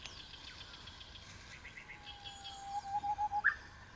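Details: Japanese bush warbler singing in the mountains early in the morning, heard while gathering wild plants: a long steady whistled note, then quick pulsing notes ending in a sharp rising flourish, with faint chirps of other birds behind.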